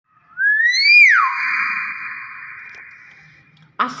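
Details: Common hill myna gives a loud, clear whistle that sweeps up, drops, then holds as a long, fading, slightly reedy tone, ending with a brief knock; skies overcast with rain.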